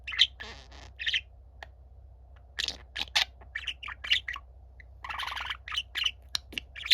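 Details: Younger pet budgerigar singing for a silent, gentle older budgie. Squeaky chirps and buzzy rasps come in uneven bursts, with a dense scratchy chatter near the end, all over a constant low hum.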